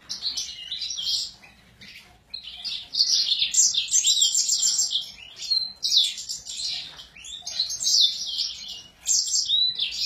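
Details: Excited Sura bird singing a lively, high-pitched warbling song of rapid chirps and twittering phrases, with bursts broken by short pauses near two and nine seconds.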